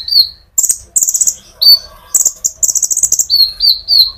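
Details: Brown-throated sunbird (konin) in energetic rolling 'ngerol' song, played as a lure to stir olive-backed sunbirds. Thin, high whistled notes alternate with buzzy, rapid chattering trills in quick bursts. No other sounds.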